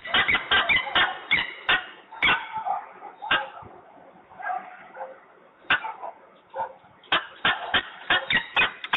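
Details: Peregrine falcon making a row at Włocławek on 15 November 2020 at 14:22: a rapid run of harsh, grating kek notes, roughly two or three a second, breaking into scratchy bursts and short pauses before resuming.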